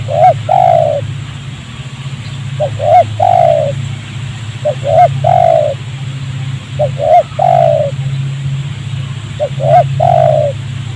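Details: Wild spotted dove answering a decoy bird during trapping in a rubber plantation near houses. Repeated phrases of two short hooked coos and a drawn-out falling coo, roughly every two and a half seconds, with a constant low hum beneath.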